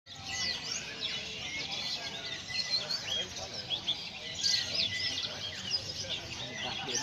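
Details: White-eye in Indonesia singing energetically in a filled-in style with added song material called Master lass roll: a dense, continuous stream of high twittering, chirps and quick sweeping notes over faint low background noise.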